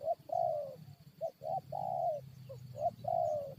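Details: Lured spotted dove challenging wild birds to fight, repeating soft, hollow coo phrases: brief clipped notes followed by a long, gently descending croo, close and clear over a low steady hum.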